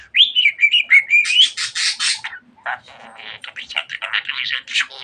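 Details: Chatty pet budgerigar opening with a looping whistled phrase, then a quick run of loud buzzy syllables and softer scratchy warbling.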